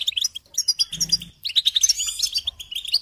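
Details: Goldfinch twittering for songbird training: quick separate chirps, then a brief low hum, followed by a busier burst of liquid trills and high squeaky notes over three seconds.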